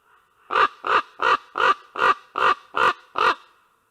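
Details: Ravens call to each other at a nest in Karula, Estonia, on 19 August 2023. Eight harsh, hoarse, nasal croaks come evenly spaced, about three per second, each short and of equal loudness.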